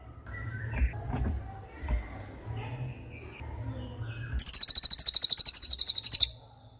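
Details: Tembakan masteran song of a cililin, used to train songbirds such as murai batu: after a few seconds of low background murmur, one shrill, fast-pulsed trill lasting nearly two seconds rings out.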